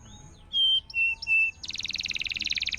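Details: Domestic canary in full song, a tutor recording used to set silent canaries singing again: three loud pure whistled notes, then a fast, even buzzy trill that runs to the end.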